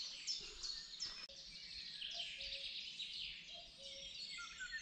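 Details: Common cuckoo calls at the river on the Oberoste, giving soft, low, falling two-note cuckoo phrases about three times, partly buried under a dense, bright chorus of twittering songbirds.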